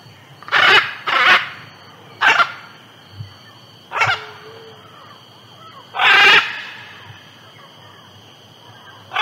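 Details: Macaw in the Amazon giving loud, harsh, raspy squawks, six bursts spaced irregularly over several seconds, over a steady drone of high buzzing insects.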